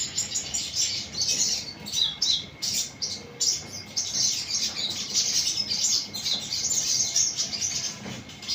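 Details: Sunbird twittering almost without pause, dense high-pitched chirps and buzzy trills in close bursts, a thin steady electronic tone in the background.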